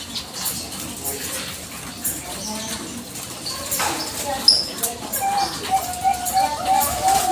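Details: Zebra dove of the Bangkok type, calling to entice a reply, delivers a quick series of short, soft, level coo notes in the last seconds, following a stretch of murmuring voices and a single bright high chirp.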